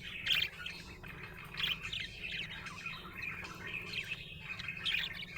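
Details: Happy budgerigar chirps in a running warble, louder squeaky accents recurring roughly every second and a half amid softer chatter, with faint background hum.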